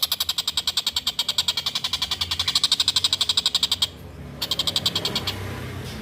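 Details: Collared kingfisher used as a master recording for training cage songbirds, calling vigorously: a quick series of grating repeated notes for about four seconds, a brief break, then a shorter burst of the same chatter.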